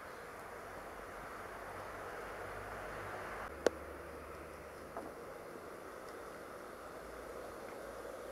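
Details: Quiet, steady background hiss with one sharp tick partway through and a fainter knock later; no animal calls.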